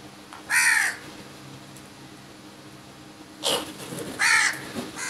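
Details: Crows mobbing food in a large group: a loud hoarse caw, a long gap, then a burst of noise and another harsh drawn-out caw, faint clicks in between.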